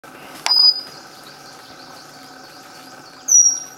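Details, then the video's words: Pygmy wren-babbler giving two thin, very high whistles spaced about three seconds apart, each a short clear note falling slightly, preceded by a brief click, over a faint steady hum. "Pygmy Wren Babbler"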